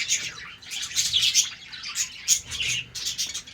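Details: Morning chatter from a colony of captive budgerigars at play in a breeding setup: continuous overlapping high chirps, squeaks and warbled twitters with short sharp peaks, no pauses.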